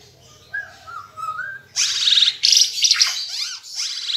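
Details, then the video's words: Ara Timor bird in full song, recorded to teach caged birds; a soft low wavering whistle opens, then a loud, dense burst of high, rapid, trilling and chattering notes. "Burung Ara Timor Gacor"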